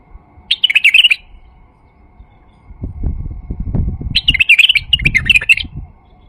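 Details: Male White-eared bulbul singing as a lure for other bulbuls, giving two quick, tumbling warbled phrases several seconds apart, with low rumbling handling or rustling noise between and under the second phrase.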